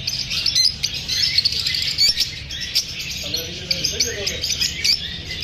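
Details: Nervous lovebirds, disturbed by being filmed, produce a thick high chorus of tweets and clicks, with a brief lower warbled phrase midway.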